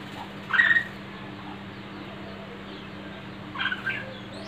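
A red-whiskered bulbul gives two short, bright, warbled phrases about three seconds apart, over a steady low hum.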